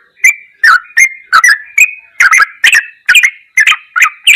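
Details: Sooty-headed bulbul master recording, goklikan style: a whistled note leads into crisp chirps with clicking attacks, repeated at an even pace of a little over two per second.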